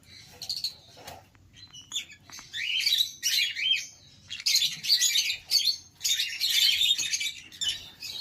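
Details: Conure giving rapid, harsh, buzzy squawks in dense bursts, several runs of noisy screeching chatter separated by brief pauses.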